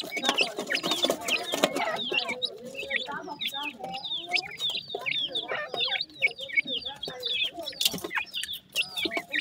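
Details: Several partridge chicks at feeding time give rapid, overlapping high cheeping notes, each a short falling slur, over a bed of lower soft chattering and occasional clicks.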